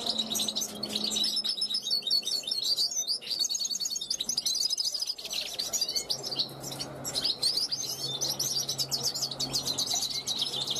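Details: Balcony-kept European goldfinch, a 2021 youngster, calling to wild goldfinches flying past; bright, rapid chattering twitters with brief pauses and a clear slurred note near the middle, plus a faint low hum.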